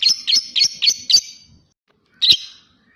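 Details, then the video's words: A lovebird gives five quick harsh chirps, a pause, then one more sharp chirp, taken from a long, clear ngekek recording used to prompt lovebirds to sing. "Lovebird Latah Ngekek Panjang dan Jernih Pancingan Love Bird Agar Cepat Ngekek Jernih"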